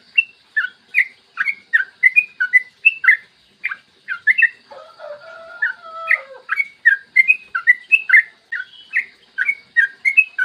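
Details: Morning lure song of a yellow-vented bulbul, played to prompt other bulbuls into song: brisk, liquid chattering notes, broken midway by a lower, wavering whistled phrase, then bubbling notes again to the end.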